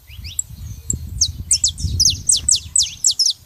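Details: Pair of saffron finches, female and male: a quick series of bright, piercing downslurred notes repeated in rhythm, set over a steady low rumbling background.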